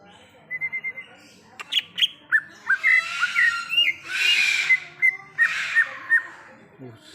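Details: Wild greater green leafbird singing in the forest: a run of short clear whistled notes near the start, then varied slurred whistles and chirps broken by a harsh, noisy rasp in the middle, with faint low background.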